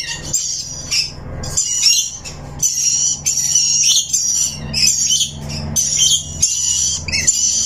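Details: Rainbow lorikeet chattering with piercing high squawks and chirps in bursts of about one second, separated by brief pauses, over a steady low hum.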